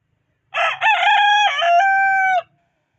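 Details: A domestic chicken from a home flock of hens crows once, loudly and clearly: a segmented, strongly harmonic call of about two seconds ending in a long sustained tone, with quiet clucking in the background.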